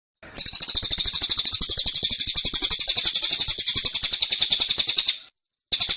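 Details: Tembakan song of a caged cililin, tight and persistent. A sustained, very high, rattling trill of rapid identical pulses runs for about five seconds, breaks off briefly, then resumes.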